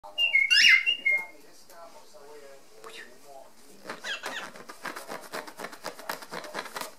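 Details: Pet male cockatiel indoors, excited by a zipper being opened and closed and demanding more: one loud, sharp whistled call with a bent, wavering pitch near the start, followed by softer scratchy rustling and a quiet human voice.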